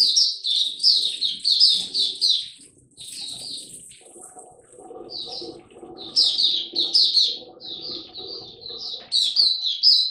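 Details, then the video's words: Oriental white-eye in ramp-up form singing: long runs of rapid, high, sweet twittering notes, pausing briefly before resuming, with a faint murmur of low voices and background hum underneath. "Mata Puteh Dagger ramp up form buka tiong aw sing"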